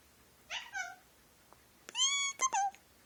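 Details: Talking pet Indian ringneck parakeet, a male kept indoors that says peek-a-boo, give me a kiss and thank you. A brief nasal phrase is followed by a bright, loud run of clipped, whistle-toned syllables near the end.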